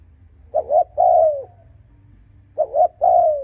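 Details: Spotted dove cooing to provoke and attract rival males: two phrases of a hollow double note followed by a long, low, gently descending croon, about two seconds apart.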